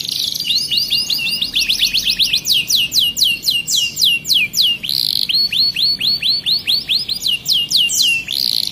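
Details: Starblue canary singing actively, a continuous high song of rapid repeated downward-sweeping whistled notes, about four a second, broken by brief buzzy rolls, with no other sounds.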